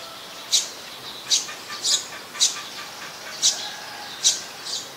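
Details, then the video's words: Olive-backed sunbird in mangrove forest at the Sirinart Rajini centre, giving sharp, high chipping notes, each a short bright burst, repeated at irregular intervals of roughly half a second to a second over a faint steady background hiss. "นกกินปลีอกเหลือง (Sunbird)"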